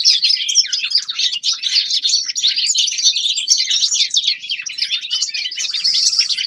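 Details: Steady twittering from a young male common linnet in winter, a long run of fast, varied chirps and buzzy trills with no gaps.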